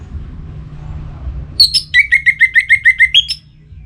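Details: Orange-headed thrush in breeding condition, a kept North Bali bird calling a rival: two high sharp notes then a fast, even string of about nine downslurred whistles, ending on a higher note.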